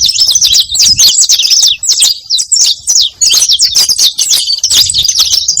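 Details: Saffron finch singing to draw in other saffron finches: bursts of piercing, fast-falling chirps packed tightly together, with a few short breaks between phrases and almost no low-pitched noise.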